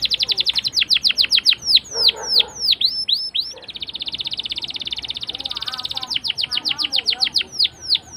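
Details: Canary rolling song used to coax young canaries into singing; fast trill, then spaced downslurred whistles, a long smooth buzzy roll, and renewed falling notes, with soft lower twittering behind.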